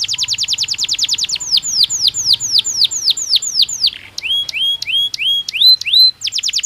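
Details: Caged canary in breeding season sings a rapid high trill, shifts into a series of downward-sweeping whistles, then rising upslurred notes before returning to the fast trill.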